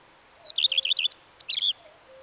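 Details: One common redstart phrase: a high steady note, quick repeated downslurred chirps, a brief high whistle and a rasping close. Soft low whistles come from the background.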